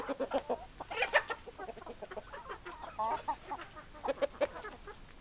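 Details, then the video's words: Hens clucking after being called with their favourite food: a run of short, low, hoarse clucks with a few louder squawky notes near the one-second mark, fairly steady throughout. "Chicken Sounds Noises Hens Clucking Roosters Crowing"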